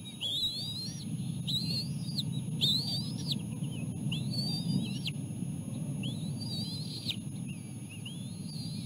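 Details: Bald eagle chicks being fed seal placenta by their mother, the youngest chick driving the second chick off the food. High whistled, sharply rising and falling cries repeat roughly every second, over a continuous low rumble.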